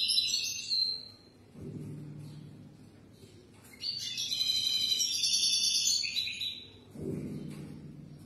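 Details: European goldfinch song for young birds to learn, with a short twitter, a pause, then a long bright phrase of rapid jingling notes and trills; low thumping noises between phrases.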